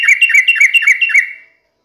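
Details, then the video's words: Sooty-headed bulbul song played as a lure so kept birds respond: a quick, even string of about ten bubbly, chirping notes lasting just over a second, then fading out. "dijamin trucukmu langsung nyaut dengar pancingan trucukan gacor ini"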